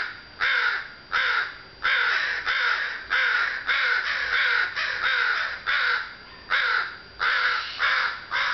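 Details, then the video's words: Continuous harsh cawing from a group of crows in June afternoon sun, about twelve caws in quick succession. "A Chorus Of Crows"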